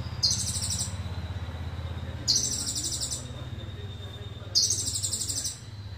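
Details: High, fast-pulsed trills from an Indonesian sunbird whose song is full of cililin phrases, three bursts about two seconds apart, each under a second, over steady low-pitched background hum.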